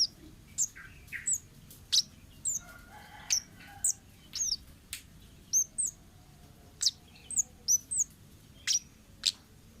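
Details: Wild orange-headed thrush, from the forest, as lure sound for young birds. High hooked chirps alternate with sharp clicks in a brisk, irregular series lasting nearly ten seconds, with low background noise.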